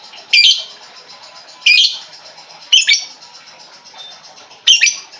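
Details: Lovebird lure sound for a bird that has stopped singing: four piercing, harsh chirps spaced one to two seconds apart over faint continuous twittering.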